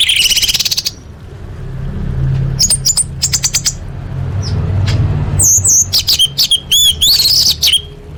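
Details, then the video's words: Orange-headed thrush competition-style song packed with varied fills: rapid trill at the start, then clusters of sharp high clicks, followed by loud warbled whistles and looping notes, some audibly clipped, over low background rumble. "Masteran Anis Merah Full Isian"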